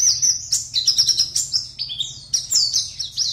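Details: Oriental white-eye from a West Kalimantan online singing competition bursts into shrill, tumbling twitters mixing rising and falling whistles, packed closely with barely any gaps, faint low hum behind.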